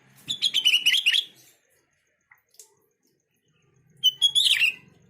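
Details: Sooty-headed bulbul call used as a lure recording to make other bulbuls answer: two bursts of bright, bubbling, slurred whistles, each about a second long, with a short pause and faint clicks.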